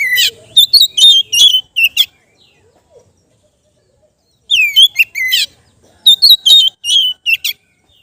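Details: Oriental magpie-robin kept in captivity, singing relaxed ngeplong phrases for training untrained birds: dense runs of bright whistled and chipping notes, a quiet two-second gap, then a longer, choppy phrase of repeated slurred whistles.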